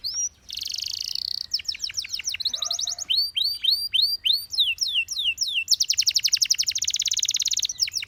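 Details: Singing canary delivering varied phrases: a buzzy held trill, repeated curving whistles, a rapid ladder of downward slurs and a long fast rolling trill toward the end, all high and bright.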